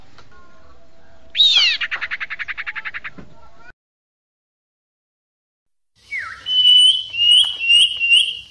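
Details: Sirpu bird lure call for bird-catching: a sharp descending whistle leads into a rapid buzzy rattle. After a pause comes a downslurred note, then several high, wavering whistled phrases.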